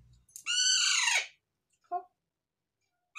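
A young Alexandrine parakeet gives one long, harsh, rasping screech that sags in pitch at the end, then a short, lower squawk.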